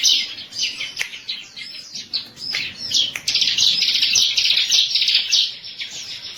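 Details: Energetic high twittering from a bar-winged prinia, with irregular chirp clusters early on and a sustained shrill trill in the middle, plus a few sharp clicks.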